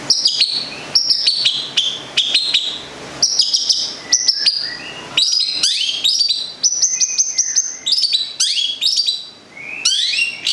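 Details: Local Central Javan long-tailed shrike from Gedong Songo in full song: lively stream of sharp high chips, sweeping whistles and sustained piping tones in bursts roughly every second, clean and close.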